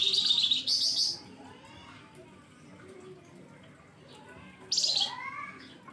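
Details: Flamboyan bird giving fierce 'nembak pedes' chirping as a lure for other birds: a long, loud, high rasping burst at the start and another near the end, followed by a few thin rising whistled notes.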